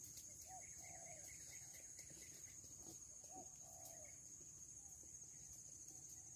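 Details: Kuku (cuckoo) calling loudly; the bird is said to come at a single call, with two descending. Soft, low two-part hoots: a short hooked note, then a longer drawn-out note, repeated about every three seconds over a steady high insect hiss.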